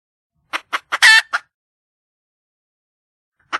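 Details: Wild red junglefowl hen calling for a mate: three short clucks, a loud grating squawk and one more cluck, then a long silence before a final lone cluck.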